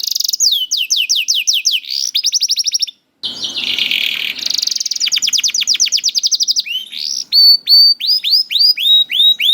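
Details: Caged young canary singing to encourage reluctant birds: quick trilled series of high notes, a short pause, a harsh buzzy burst, then fast trills and looping upswept whistles.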